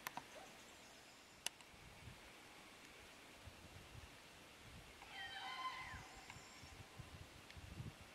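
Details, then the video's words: Common cranes recorded at Borki in July 2013; a single brief, harmonic, trumpeting call sounds about two-thirds of the way through, with scattered faint clicks and low hiss around it. "klangor żurawi na Borkach, lipiec 2013"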